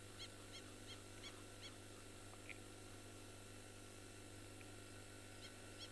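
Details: African wattled lapwing in East Africa around 6:10 pm on a cloudy evening, 3 September 2020, at a flood-prone wetland with Egyptian geese nearby: a quick series of about six sharp, high, ringing notes, then a couple more after a pause, over low wind rumble.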